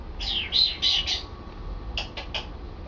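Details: Pet male African grey parrot practising talking indoors: a loud burst of raspy, whistled syllables, then three short clipped notes after a pause.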